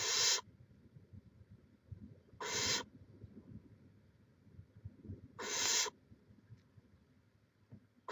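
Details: Barn owl at its nest in Chula Vista, California, filmed by a live nest camera on 18 May 2017; harsh, raspy hissing screeches of under half a second, repeated roughly every three seconds over a quiet, low background rumble.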